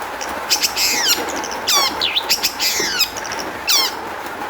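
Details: Long-tailed shrike singing, played as a lure to provoke other shrikes into song: harsh rapid descending rasping sweeps interleaved with short chips and squeaky mimic-like notes, varied and energetic, over a faint background hum.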